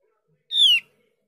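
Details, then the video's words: One clipped, harmonic-rich note from a Javan grey-throated white-eye, slurring downward, used as a lure so untrained or silent birds of the same kind answer; no other sounds. "Dengan pancingan opior jawa ini opior jawa bahan atau opior jawa macet pasti nyaut"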